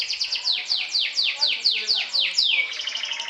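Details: Champion canary singing in the 'sobek-sobek' trilling style, meant to provoke and overpower rivals: a run of about nine steep downward-sweeping whistled notes, roughly four per second, ending in a fast, even buzzy trill.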